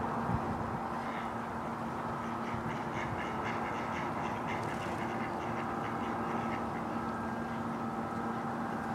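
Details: Mallards, adult males and females, recorded at Domaine Maizerets, 27 March 2018: a fast rhythmic burst of nasal quacks, about a dozen in quick succession, rising from and fading back into a constant droning background hum.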